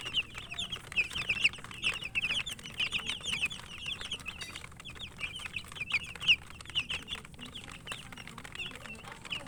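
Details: A group of chicken chicks eating, keeping up rapid, irregular high peeps, roughly two per second, overlapping in a busy chorus with clicking pecks.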